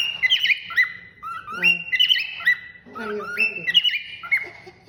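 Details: A pet cockatiel, during a night session, whistles a repeated phrase of bright, clear notes with sliding up-and-down turns; it likes to do the whistling.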